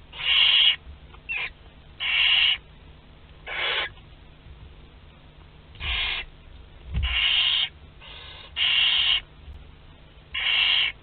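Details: Nestling barn owls, 2 to 12 days old, during a group feeding in Théding, France, 29 April 2021; a series of raspy, hissing screeches of varying length, about eight bursts in eleven seconds, with faint low thumps.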